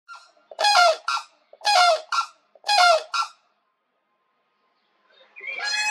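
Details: Pair of White-naped Cranes giving the unison call, an aggressive wake-up call performed together by the pair standing upright side by side, male beginning; loud harmonic trumpeting notes in three paired bursts about a second apart, another call starting at the end.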